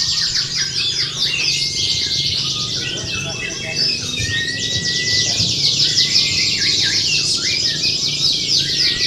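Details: Caged canaries in a singing contest pour out overlapping fast trills and chirps, with long level whistled notes. Indonesian announcer speech and crowd murmur run underneath.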